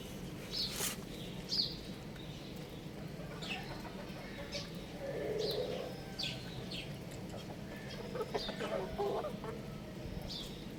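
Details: Short, high chirps and soft clucks from a young rooster playing on a roof come in irregular bursts, some with a brief lower murmur between them, over constant outdoor noise.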